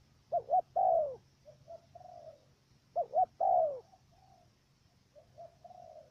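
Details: In Cà Mau, Vietnam, a trapping decoy dove coos with a stammered opening, two clipped notes then one long sliding coo. Two phrases are heard about 2.7 seconds apart, answered by quieter, lower coos from other doves.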